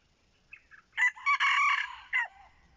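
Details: Red junglefowl kept as a decoy crows loudly: soft introductory notes, then a strong harsh syllable, a broken drawn-out buzzy middle, and a final falling note, with a faint low rumble behind.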